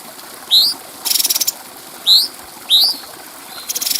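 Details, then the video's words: Bulbul on a training track for other birds: three loud upward-sweeping whistles spaced about a second apart, interleaved with short harsh buzzy rattles. "Masteran Burung Cucak Cungko Suara Jernih"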